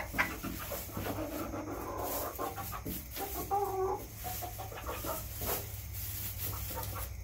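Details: Chickens in a backyard cluck steadily, with short broken notes and a longer warbling phrase around three to four seconds, over a low constant hum.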